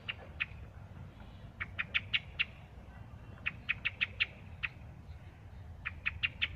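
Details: A thrush repeats short, harsh chattering notes in quick runs of three to six, with gaps of about a second between runs; constant low-pitched background hum beneath.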